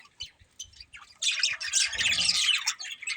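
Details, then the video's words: Budgerigars, kept as a pet family, chirping: faint scattered notes at first, then after about a second a dense, continuous burst of harsh, scratchy chatter and squawks that runs to the end. "Cute Budgies Chirping Sounds"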